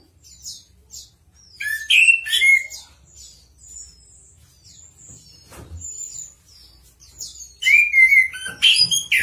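Chestnut-capped Thrush singing a varied run of sweet whistles, rising and falling slurs and high thin notes, with quick chattering phrases in between.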